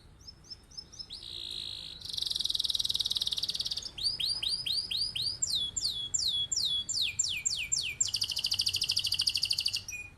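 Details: Canary singing vigorously, a long rolling song used as a master to get other birds to imitate it: high chirps, then a buzzy rolled trill, a run of rising whistled swoops, rapid down-slurred notes and a final fast rattling roll.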